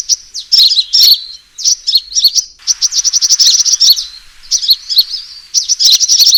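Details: Sunbird fighting call on a lure recording: sharp, squeaky twitter phrases followed by a rapid, steady run of high chips and more agitated bursts.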